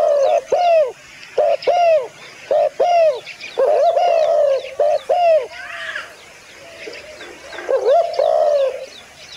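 A dove gives soft, low cooing notes, short hollow hoots repeated in quick irregular bursts, with a few faint chirps from other birds in the background.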